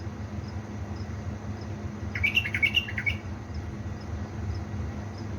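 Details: Caged bulbul from Baladruz, Diyala, singing at 3 am: one short burst of bubbly, warbled notes lasting about a second, set against a steady low hum.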